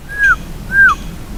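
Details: Bird in a Japanese park in early June replying to a person: two pure, level whistles that drop at the end, about half a second apart, over faint low background noise.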